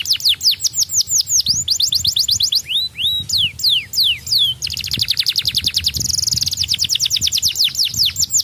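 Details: Young canary singing to stimulate other birds: fast, high trills of rising and falling whistled sweeps, then slower looping slurred notes and dense buzzy rattling runs, with continuous rapid repetition throughout.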